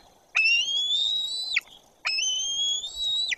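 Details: A white-tailed eagle at a nest in the Tuchola Forest, Poland, as an adult arrives and the younger eaglet fails to react, gives two long, thin, high whistles, each just over a second, nearly level and rising slightly, over a soft low rumble.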